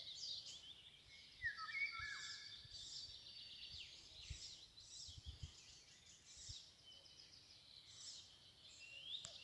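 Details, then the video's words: Golden oriole recorded 24 May 2022 at Anklamer Stadtbruch, giving a short mellow whistled phrase that dips and rises early on, surrounded by a constant high chirping chorus of other songbirds. "Pirol - Gesang"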